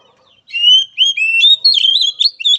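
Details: Oriental magpie-robin song for training a weak-spirited bird: a rising whistle, then a lively string of sliding, warbling notes delivered rapidly without pause.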